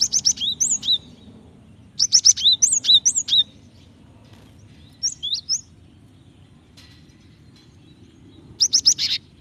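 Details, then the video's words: Java sparrow female calling a male to encourage singing, uttering repeated bursts of bright high chirps and rising and falling whistles, four groups spread across the recording with quiet gaps. "Gelatik betina gacor memancing bunyi"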